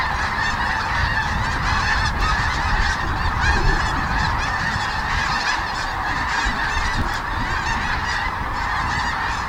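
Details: Migrating sandhill cranes at Kearney, Nebraska, taking off from the Platte River in large groups before daybreak and calling as they pass directly overhead; a thick, ceaseless chorus of rolling bugles, some closer birds sharper, with steady low background rumble.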